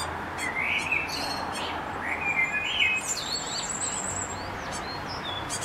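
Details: Recently fledged tit chicks in May, just out of the nest and hungry between flights, give quick, high, thin chirps and short buzzy notes overlapping in a busy stream, over steady outdoor hiss.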